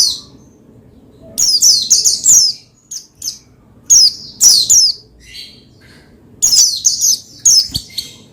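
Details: Caged Oriental white-eye (pleci) singing to provoke another bird into singing: clusters of rapid, high, sharply falling notes in bursts of about a second, separated by quiet gaps, over a faint low background hum.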